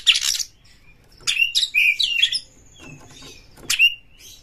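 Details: Kacer, the white-rumped shama, singing to provoke other birds: a harsh broad burst, then slurred whistles rising and falling, a faint quieter passage, and a final sharp note with a whistle.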